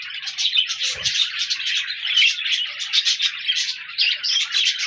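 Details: Budgerigars recorded 14 January 2024, a lively rhythmic chatter of rapid chirps and warbles rising and falling in loudness, with one low knock about a second in.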